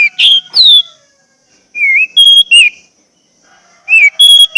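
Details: Song of the Orange-headed thrush used to get caged birds singing: clear whistled notes that rise and fall, some level and piercing, in short bursts separated by brief silences.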